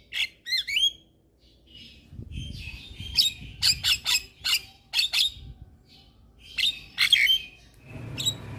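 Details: Javan myna song to trigger other mynas: a few twisting whistles, then spaced harsh squawking bursts, with some low rustling noise.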